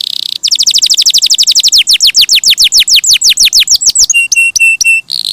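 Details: Loud canary song made of a fast rolling trill of descending whistled notes that gradually slows, followed by several flat, clear piping notes and a short buzzy burst at the end.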